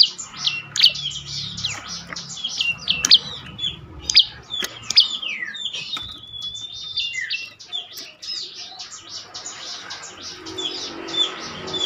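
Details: Bar-winged prinia song used as a lure to make silent birds sing: dense, buzzy, high chattering phrases with rapid squeaky notes running almost continuously.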